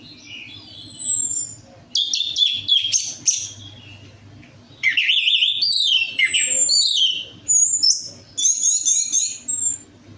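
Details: Lure song of the orange-headed thrush for birds that rarely sing: long, varied, high-pitched phrases mixing descending whistles, scratchy trills and quick mimic-like notes, separated by short pauses.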